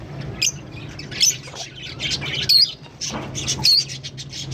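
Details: A green pair of Fischer's lovebirds singing and chirping: scattered shrill, squawky chirps and short high whistled notes at irregular intervals over a steady low hum.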